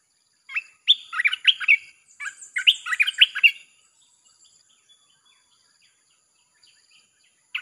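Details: Caged red-whiskered bulbul in a nonstop singing recording used to lure wild birds: two bouncy phrases of rapid, throaty whistled notes, followed by quiet and a single note at the close.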